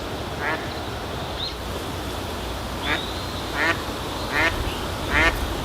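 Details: Eastern spot-billed duck giving its everyday call notes: five short, harsh, raspy quacks spaced irregularly through a few seconds, a steady outdoor ambient hiss behind them, plus a couple of thin high whistles.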